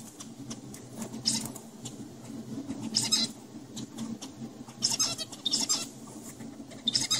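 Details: Zebra finch song from adult males tutoring young males in a research lab: buzzy, nasal high bursts in irregular groups of two or three, with a constant low mechanical hum underneath.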